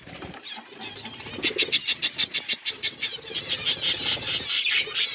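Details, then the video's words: Budgerigars chirping: soft chatter building into a fast regular run of harsh pulsed notes, about four per second, followed by continuous scratchy warbling. "Budgies beautiful colours birds chirping sound"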